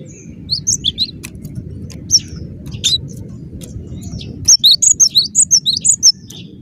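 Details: Cinereous tit, locally gelatik batu, singing in a dense, vigorous gacor style: scattered sharp notes, then from mid-clip a rapid run of high two-part whistled phrases about twice a second, over a steady low hum.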